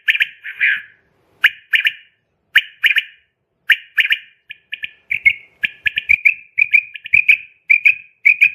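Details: Common quail, female, giving crisp whistled triplets repeated roughly each second, the notes becoming quicker, softer and more closely spaced toward the end; faint low knocks underneath.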